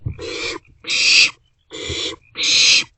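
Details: Barn owlet chicks in an owl box after 1:47 am, sharing a meal between them; overlapping rasping hissed screeches alternate with lower breathy ones, four bursts in quick succession.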